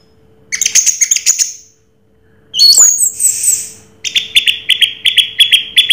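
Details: Orange-headed thrush in 'raja teler' song: a quick series of high trilled notes, a sudden downward-sweeping whistle with a scratchy burst, then evenly spaced clipped chirps repeated about twice a second.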